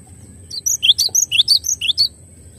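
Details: Gelatik batu, or cinereous tit, singing a clear masteran phrase: evenly spaced, piercing high whistles with upslurred notes, roughly ten syllables in quick steady rhythm.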